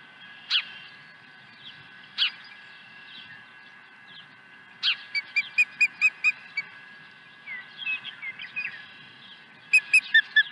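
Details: Nest at Dunrovin Ranch, 23 April 2020, as an osprey brings a second fish: a few isolated sharp calls, then rapid runs of short, clipped piping notes.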